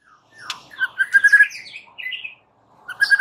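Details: White-rumped shama in full song, played to provoke rival males: a brief phrase of rich whistled notes and quick warbles, a short pause, then renewed whistling.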